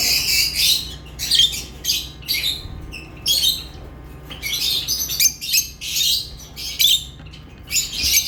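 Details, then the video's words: Chattering lovebirds give dense, scratchy chirps and squawks in clustered bursts about every half second to second, high and harsh, over a low constant hum. "Love birds chirping sounds"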